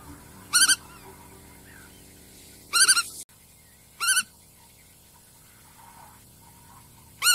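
A Black-tailed Godwit gives four short, nasal, harsh calls at uneven intervals of one to three seconds, over a quiet background.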